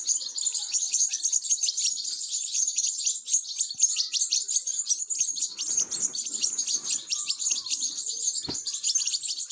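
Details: Nestling European goldfinches being fed, calling nonstop: a shrill, crowded stream of high-pitched squeaky cheeps, with a faint rustle midway.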